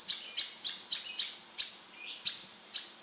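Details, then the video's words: A Brown-throated Sunbird repeats sharp, very high, thin chipping notes about three times a second, bright and insistent, with no other sounds. "Suara burung kolibri kelapa gacor"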